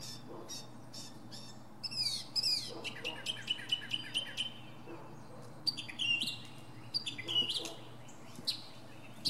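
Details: Northern mockingbird's varied medley from a pine treetop: clicky rapid notes, sweeping high chirps and buzzy trills, shifting phrase type every second or two without a set pattern.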